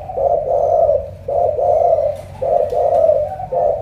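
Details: Low, rounded cooing from a Spotted dove of Cà Mau with the thổ cọp style of voice, described as huge and pigeon-like; four drawn-out coos of similar pitch follow each other closely.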